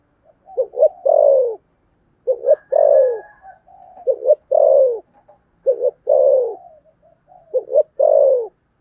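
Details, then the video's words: Spotted dove with the thổ sấm voice in thúc gù cooing style: deep phrases of two short clipped notes and a long, falling, drawn-out coo, repeated about every two seconds in a quiet setting. "cu gáy giọng thổ sấm thúc gù"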